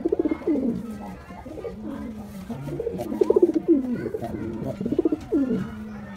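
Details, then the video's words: White pigeon, a male in display, gives repeated rolling coos, short pulsed bursts swelling and dropping in pitch, with other pigeons murmuring softly behind. "Pigeon Sound Effect || Male Pigeon Super Performance || White Pigeon"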